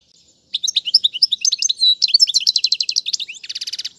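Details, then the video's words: European goldfinch song, used for teaching chicks, in styles such as tiwawati, mandolin and casta casta. After half a second of quiet, rapid high twittering notes give way to a fast buzzy trill near the end. "أفضل تغريد الحسون"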